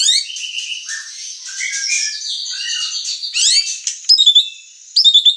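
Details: White-rumped shama song mixing long sliding whistles, falling and rising tones and twittering runs, ending in sharp bursts of loud high notes separated by a short pause.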